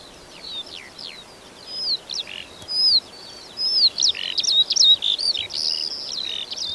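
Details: A Eurasian skylark over the fields of Berga/Elster, Germany, pours out a high, rapid, unbroken stream of chirps, trills and whistled slurs, running on without pause; no other sounds stand out.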